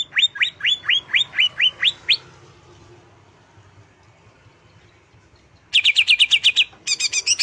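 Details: Greater green leafbird in an emotion-rousing relaxation song. It opens with a short series of rising whistles, goes quiet for several seconds, then bursts into fast, buzzy chattering trills.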